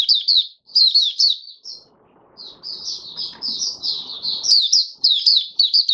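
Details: Oriental white-eye in a cage singing openly, fifth day after monthly deworming on 20 January 2022; high tumbling twitters that run into a long unbroken chatter, with soft background hiss in the middle.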